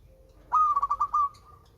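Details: Melodious song of a local zebra dove (perkutut) from Indonesia: one phrase opening on a clear whistled note, followed by about five rapid rounded coo pulses that fade into a short trailing tone. A faint low steady hum runs underneath.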